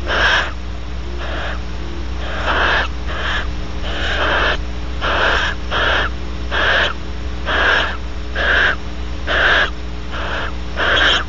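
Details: Barn owls at Audubon Starr Ranch, California, mating and then the male preening the female; broad raspy hissing or screechy bursts repeat about once a second, steady low hum underneath.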